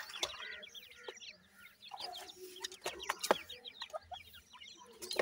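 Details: Five captive Black francolin chicks, 26 days old, three females and two males, give a busy stream of short high chirps that slide downward, overlapping one another, with scattered sharp clicks and taps.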